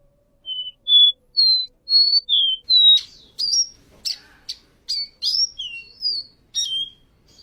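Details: Seedeater (caboclinho) song: a run of clear, pure whistled notes, each sliding slightly up or down at varied pitches, followed by quicker notes mixed with sharp clicking chips, about two notes a second.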